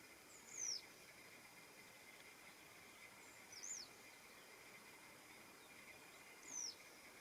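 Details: Western yellow wagtail (Motacilla flava) calling in the morning, recorded 21 June 2026: three thin, high, down-slurred calls spaced about three seconds apart, with a faint constant hiss behind them.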